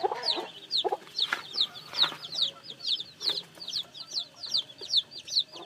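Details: Newly hatched chickens peeping in a dense chorus of thin, high, downward-slurred cheeps, several per second and overlapping, with a few lower soft clucks mixed in near the start.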